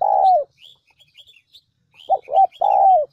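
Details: Spotted dove cooing from a lure recording used to attract doves: a long falling coo, a gap with scattered high twitters of small birds, then two short notes and another sustained descending coo.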